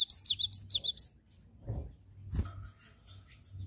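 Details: Cinereous tit singing in an energetic rolling style, a quick run of about six high, sharp, two-part notes in one second, then only faint low background rumble and a few soft knocks.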